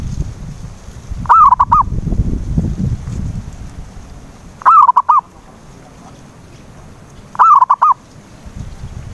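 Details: Zebra dove call used to lure a non-singing dove: three bubbling four-note coo phrases spaced roughly three seconds apart, with low rumbling background noise early on.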